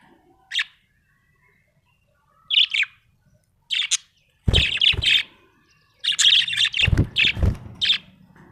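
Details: Small parrot giving rapid bright chirps, single notes at first then dense chattering runs, with a few thuds and low knocks mixed in.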